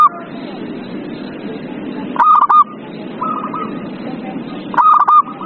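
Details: Zebra dove singing, used to draw song from a quiet bird: two sharp clusters of fast, bright staccato notes, with a fainter, similar phrase between them over steady hiss.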